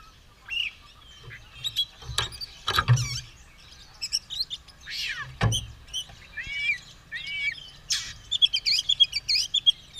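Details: White-rumped shama, caged, ready to fight with tail spread, singing a varied song of whistled slurs and chattering notes between pauses, with a few low thumps.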